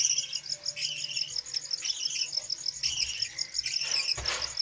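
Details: Captive Budgerigars, a pair feeding five chicks, in an aviary. Rapid, scratchy chirps and short chattering phrases repeat over a continuous high trilling background, ending with a sudden rustle or thump.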